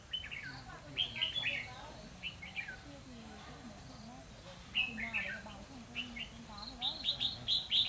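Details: Red-whiskered bulbul decoy giving fighting song while used for trapping in Vietnam on 12 November 2016; repeated short bright warbled phrases with quick falling notes, scattered through soft human talk and background chatter.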